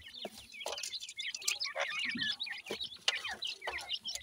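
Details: Dense overlapping peeping from captive black francolin chicks (dakhni teetar) in Pakistan as they feed, with squeaky, wavering notes and occasional hard taps.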